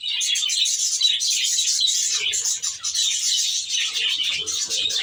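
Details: Continuous busy twittering from a group of Australian budgies housed in an aviary, with high, rapid, overlapping chirps and warbles filling the whole stretch and some lower scratchy notes toward the end.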